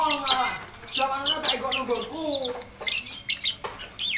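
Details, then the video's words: Long ngekek chatter from a lovebird, used to tutor birds that have stopped singing: dense harsh squawks and rasping notes in rapid, uneven bursts with brief pauses between runs. "MASTERAN LOVEBIRD NGETIK NGEKEK PANJANG FULL DURASI!!"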